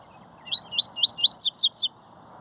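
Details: Double-collared seedeater from a captive breeding setting singing a short phrase: four rising, slurred whistled notes, then three quick downward-sweeping notes, all high-pitched and evenly spaced, with a steady faint hum behind.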